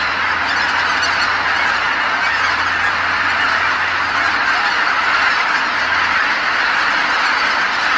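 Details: Tens of thousands of geese returning together to Kabukuri-numa marsh at dusk after feeding, all calling at once: a dense, continuous wall of overlapping honks filling the air, with no breaks or other clear sounds.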